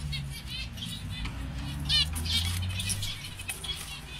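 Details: Mutation zebra finch giving short, nasal, buzzy notes and quick chattering phrases, repeated a couple of times a second, over a steady low rumble of background noise.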